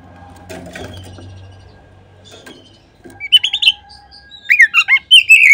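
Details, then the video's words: Oriental magpie-robin on a lure recording for prompting other magpie-robins to sing: a few seconds of quiet background rustle, then bursts of sharp whistled notes and short rich phrases toward the end. "Kacer manapun seketika terangsang berbunyi dengan pancingan ini."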